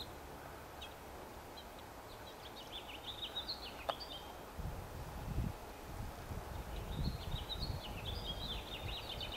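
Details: Tree sparrows give quick, thin, high cricket-like chirps and twitters in two loose bursts, with house finches also calling, steady low wind rumble and a dull knock underneath; forest edge in the morning, May 4, likely using cavity nests.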